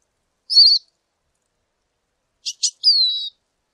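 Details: Lesser goldfinch whistling a short high note, then after a pause two quick sharp ticks followed by a longer descending plaintive whistle, in an otherwise quiet recording.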